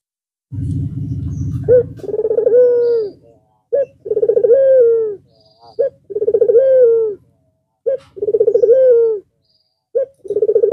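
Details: Red-eyed white Barbary dove cooing once more after a long rest over the Eid al-Fitr holiday. Low rumbling noise opens, then repeated phrases roughly every two seconds: a short note, a throaty pulsed roll and a drawn-out falling coo.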